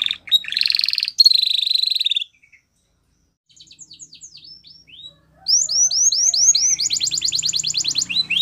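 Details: Belgian canary training song: short bursts of buzzy high trills, a silent gap, soft faint whistles, then a louder run of falling swoops and a rapid bright trill.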